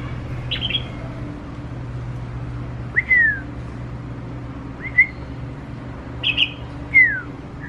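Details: Tamed red-whiskered bulbul, used to people after a week, singing indoors: sparse clear whistled notes, some slurring downward, spaced a couple of seconds apart over a steady low hum.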